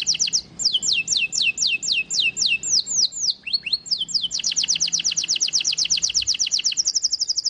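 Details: ['White-eye (pleci) in tembakan isian style: loud, clear high whistles swooping downward, about three a second, break into a few lower slurs, then speed into a rapid chattering trill that ends as a fast, even buzz.']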